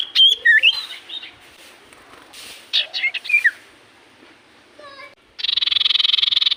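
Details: Common iora in full voice giving quick rising and falling whistled notes, a pause, a few faint notes, then a fast, even, buzzy pulsed trill.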